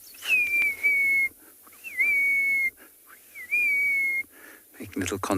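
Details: Crested francolin chicks give three thin, high whistles, each about a second long, with a quick wavering start then level, as they walk through grass with their parents, followed by a brief rustle; peaceful, windless South African game-reserve afternoon with spitting rain, 5 October 2020.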